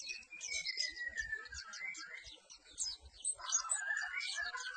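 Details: Perci bird delivering a dense twittering song over a clear descending whistled note, later joined by a rising whistle, with soft low knocks underneath.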